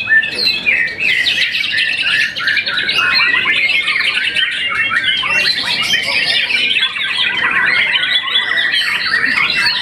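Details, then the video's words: Champion white-rumped shama, young and after its first moult, with an energetic stream of varied whistled phrases and rattling trills, dense and continuous for about ten seconds. "murai batu muda mabung satu kali"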